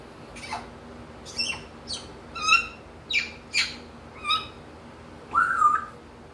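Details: Captive African grey parrot, over a year old, happy to be outside in the morning and mimicking wild birds: a series of varied squawky chirps and whistles, ending in a longer warbling note, over faint background hum.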